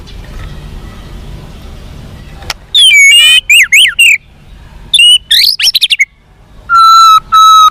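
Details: Energetic white-rumped shama song meant to make captive birds more responsive and combative: loud swooping whistles and twisting slurred phrases in bursts, a fast stuttered trill, then two long steady whistled notes after a quiet start.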